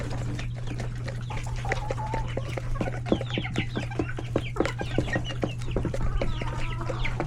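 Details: Busy lunch time in a chicken coop full of chicks alongside hens and roosters: rapid overlapping clucks and thin rising chick peeps, almost continuous, over a constant low electrical hum.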